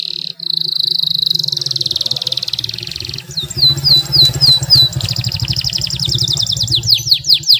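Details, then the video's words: Canary delivering a long rolled song as a lure for silent canaries: sustained high trills, then repeated downward-swept whistles, then fast buzzing rolls and sweeps, over a steady low engine-like hum. "KENARI GACOR ngeroll panjang cengkok mewah suara jernih buat pancingan kenari males bunyi"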